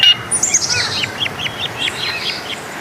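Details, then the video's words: Coleto (Sarcops calvus, also called kuling), a Philippine-endemic starling, gives a quick run of about nine squeaky, arched metallic notes, around three a second, with thin high squeals above over a steady hiss. "COLETO / KULING SOUNDS"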